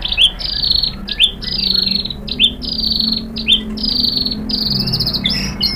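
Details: White-rumped shama song meant to draw other shamas into singing: a run of bright, buzzy, slightly falling high trills, each starting with a sharp flick, strung nearly without pause, with a low hum beneath.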